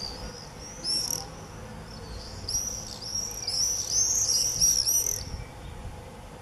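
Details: Common swifts in a screaming frenzy, early July 2018: loud shrill high-pitched screams, one burst near the start and then a long rattling, overlapping chorus of screams from several birds for nearly three seconds.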